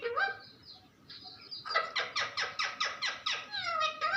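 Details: Pet parrot chattering: a few nasal rising notes, then a steady train of about ten clipped, grating syllables at an even pace, ending on a longer descending whine.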